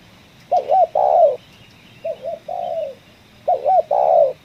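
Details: Spotted dove in a coffee field during trapping, giving ngeruk-style kuk 1 calls. Three clear coo phrases, each a short hooked note followed by a longer mellow falling note, evenly spaced.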